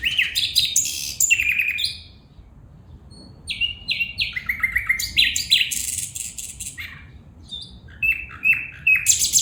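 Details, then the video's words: Female bulbul calling in a rapid, varied series of sharp chirps and short descending whistled notes, some paired, with high ticking bursts, a brief pause near two seconds, then renewed chattering phrases. "بلبل پرندہ کی خوبصورت آواز میں فیمل بلبل بلا رہا ہے"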